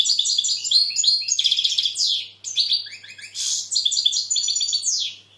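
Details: Rapid, bubbling high twitter of a European goldfinch, with tinkling notes, downward-sliding slurs and buzzy rolls, broken by one brief pause near the middle.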